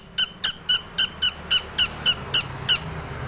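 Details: Long-tailed shrike lure song with tomiceng mimicry, for getting other shrikes to sing: ten bright, clipped, evenly spaced notes, about four per second, recorded indoors.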